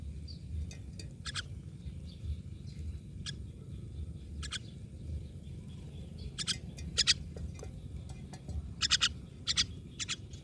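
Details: Myna birds producing rough, scratchy bursts that begin sparse and grow louder and more frequent, with several close pairs near the end, set against a low background rumble.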